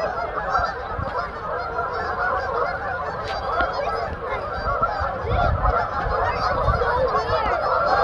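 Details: Huge flock of Canada geese on a frozen pond in Kleinburg, Canada, with ducks and gulls nearby: a dense, continuous chorus of overlapping honks, loud and unbroken throughout, with wind rumble.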